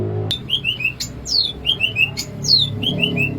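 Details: Greater green leafbird from Alas Purwo, Banyuwangi, singing in its natural bebeciu style: rhythmic series of clear whistled notes, each slurring downward, in groups of three or four, repeated over a steady low background hum.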